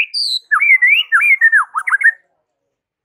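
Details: White-rumped shama singing in the morning, a song meant to make rival shamas answer: a loud, clear run of looping, slurred whistles that rise and fall, with a short high note at the start and a brief high note at the end.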